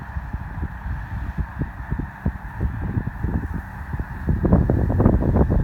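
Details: Massed chorus of snow geese pausing on migration at Columbus, Nebraska; countless overlapping honks form a constant din that swells louder toward the end, over low wind rumble.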